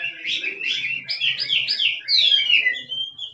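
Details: Wild hwamei 'kích trống' song: a quick string of warbled, bouncing whistles is followed by a long, clear, descending whistle and a final rising note.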